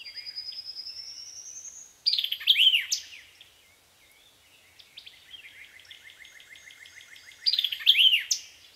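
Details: A White-eyed vireo sings at Land Between the Lakes, Kentucky, in 2010: two short, emphatic phrases of sharp, slurred notes with a quick chattering run between them; a thin rising whistle opens the recording.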